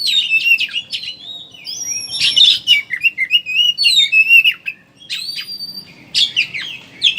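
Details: Oriental magpie-robin 'ngeriwik' chattering, used as a lure so birds start singing: fast varied phrases of scratchy chatter interwoven with long clear whistles and slurred notes, broken by a brief gap midway.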